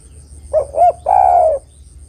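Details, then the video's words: Single phrase from a female spotted dove calling a male, meant for luring: two quick rounded coos, then a drawn-out, gently descending coo. "tekukur betina memanggil jantan"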